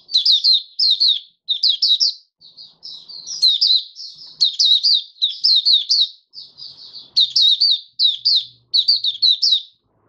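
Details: Caged oriental white-eye, fifth day after deworming, 20 January 2022, giving 'buka sing' song: a long run of high, lively twittered phrases repeated roughly every second, with quieter softer notes between louder bursts.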